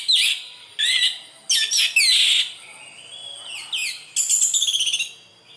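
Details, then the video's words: Anis merah, the orange-headed thrush of Indonesia, delivering a sweet song of repeated high twittering bursts and slurred whistles, with a fast trill near the end. "Kicau Merdu Anis Merah"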